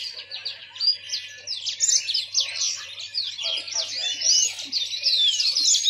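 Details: Yellow-fronted canary, a seed-eating finch, singing a fast, sweet warbling song of rapid high twitters, trills and short upslurred whistles, delivered in continuous overlapping phrases with no other clear sounds.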